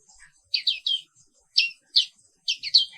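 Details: Morning chirps from a black-capped white-eye endemic to Indonesia: short groups of loud, high down-slurred notes separated by brief pauses.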